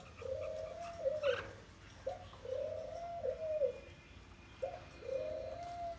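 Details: Spotted dove, wild-caught and caged for twelve days, coos in a steady rhythm. A short pickup note leads into a long, level, mellow hoot, repeated three times about two seconds apart, with a faint chirp in between.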